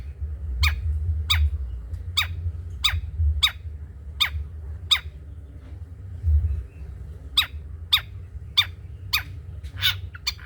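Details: Long-tailed shrike recording used as a tutor song for other songbirds: sharp, clipped notes repeated roughly every half second, a pause, then a faster run, over steady low engine-like rumble.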